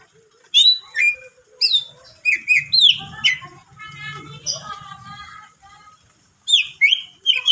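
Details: A greater green leafbird sings to stir up other leafbirds, mixing sharp rising and falling whistles with a rapid trilled passage. A low hum sits beneath the middle section.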